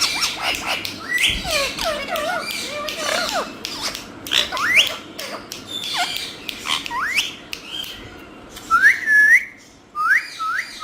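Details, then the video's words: Green talking parrots chattering in mimicked speech-like syllables, a busy run of squeaky warbles followed by sharp upward-swooping whistles near the end. "Cutest Green Talking Parrots Saying the Funniest Things"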